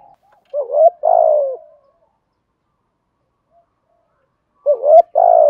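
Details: Spotted dove kept as a decoy, cooing to entice other doves; a rising note and falling coo, a long silence, then the same two-part phrase begins again.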